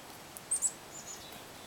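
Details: Black-capped chickadee being hand-fed at Stony Swamp on March 2, 2008 gives two very high, thin, quick notes a split second apart, over faint outdoor background hiss.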